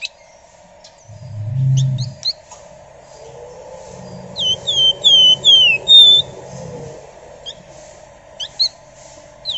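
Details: Flamboyan singing actively, suited as a lure: scattered short chirps, then a clear series of six high, down-curving whistled notes at an even pace, over a steady low hum and a brief dull thump.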